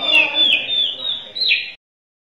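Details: Sunda robin (Myomela diana), song.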